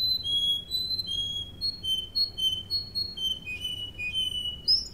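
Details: Russian canary (Serinus canaria) singing for training, with a steady run of paired whistled notes at two alternating pitches, then a lower, slightly buzzier section and a quick rising note at the end.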